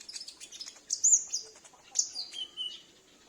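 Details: Home-kept sunbird whose song is used to draw in wild or loose sunbirds; a rapid run of sharp high twitters, two louder bright notes, then a falling whistled trill fading out.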